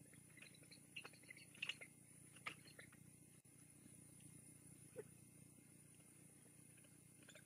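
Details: Bald eagle chicks at the Fraser Point nest, fed big bites by an adult while stealing food from each other in tug-of-wars; soft high chittering chirps in short bursts over a steady low hum, then quiet.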